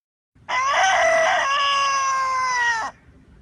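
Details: Chicken, one of a series from different countries, giving a single long, steady crow of about two and a half seconds that ends with a slight downward slur.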